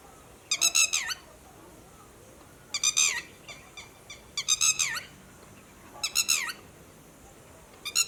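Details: Red-wattled lapwing giving loud, shrill, strident alarm notes warning its companions of human movement, in short bursts of three or four, repeated every second or two over a quiet background.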